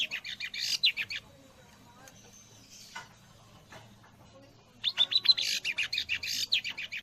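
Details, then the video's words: Long-tailed shrike song with white-rumped shama imitations: a brief burst of chirps, a long quiet spell with faint background sounds, then a renewed run of rapid, rising chirping notes. "Burung cendet isian murai batu"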